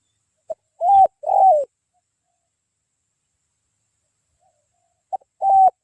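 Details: Spotted dove cooing at a dove-luring site in the afternoon, with a voice described as bongor penguku: a short soft note followed by two low hollow coos, then a pause and the phrase starting again.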